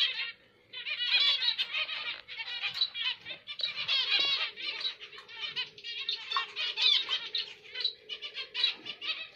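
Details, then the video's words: Zebra finches chatter in quick bursts of nasal, buzzy, harmonic notes with short gaps, over a faint steady tone in the background. "Zebra Finch Karo Emprit Jepang"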